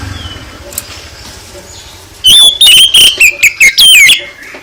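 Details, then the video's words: Oriental magpie-robin song used to provoke a reply from other birds: soft background chirps give way to a loud, chattering series of short whistles and sweeping, falling notes, rapidly repeated. "Gak Mungkin Gak NYAUT ketika KACER ditempel dengan KICAU ini"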